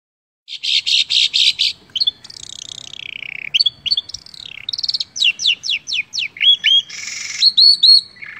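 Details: Long-tailed shrike (cendet), a hobbyist's songbird, singing varied mimicked phrases for contest training: buzzy rapid trills, then a slurred descending whistle, a series of sharp downward-sweeping notes about four a second, and rising twangy whistles.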